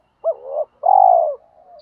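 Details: Cooing spotted dove calling wild doves to come: a short hooked note and a softer trailing note, then one long, steady, mellow coo, followed by a faint drawn-out tail.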